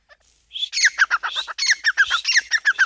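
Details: Grey francolin calling: after a brief faint note, a fast series of harsh, loud, clipped notes repeated about four times a second, with no other sounds.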